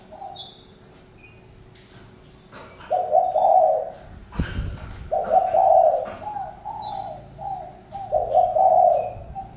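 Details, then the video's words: Spotted dove cooing in low, hoarse phrases that start after a quiet opening, with a sharp knock near the middle and faint high chirps from other birds in the background. "Chim cu gáy-Đam mê tiếng chim cu"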